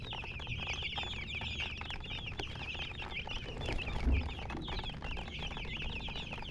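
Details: Chicks, baby chickens, peeping continuously as a flock: dense, high-pitched, quickly repeated chirps that overlap without pause, with a faint low hum and a brief thump in the background.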